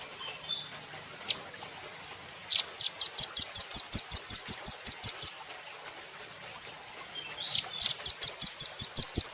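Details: Velvet-fronted nuthatch, locally called rambatan or rambatan doraemon, in a training recording for cage birds: two bursts of rapid, sharp, high chipping notes, about ten to fifteen evenly spaced per burst, separated by a quiet gap with faint chips.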